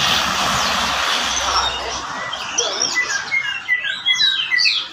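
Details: Horsfield's bush lark, variety called varpa, singing vigorously: after two seconds of loud broadband hiss, a run of high, quick chirps and short whistled slurs, varied and irregular, over steady background noise.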